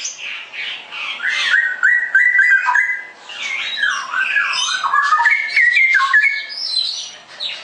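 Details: Straw-headed bulbul pouring out a rich continuous warble, whistled notes sliding up and down mixed with fast buzzy chatter, with no pause for several seconds.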